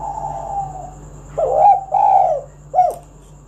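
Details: Spotted dove luring other doves to sing. A drawn-out soft coo fades, then come two strong, throaty coos and a short final note, over a low constant hum.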